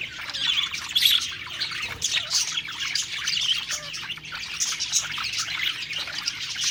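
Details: A flock of budgerigars, happy and feeding, fills the air with constant twittering, squeaks and warbled runs, with some louder chirps standing out over the group.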